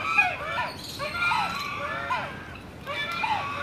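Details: Sulphur-crested cockatoo giving a series of loud, harsh, sweeping calls, each a rising then falling screech, repeated at irregular intervals about a second apart, over a steady background murmur.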